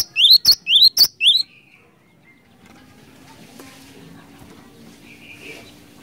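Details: Cinereous tit song used as a lure: a quick burst of five loud notes, high sharp whistles alternating with upward-slurred notes, lasting just over a second, then faint background noise and a low steady hum.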